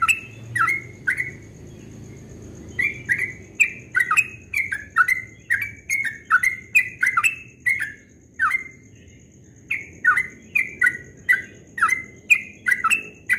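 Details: Yellow-vented bulbul in extended ropel-style dawn song, lively runs of liquid whistles broken by short pauses, a faint low rumble at the start and a thin high tone throughout.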